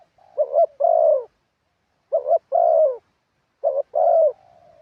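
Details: Spotted dove used as a decoy on the ground in Thailand, giving its prized wild-style cooing: three phrases, each a short hiccuped note and then a full mellow coo, with soft trailing murmurs.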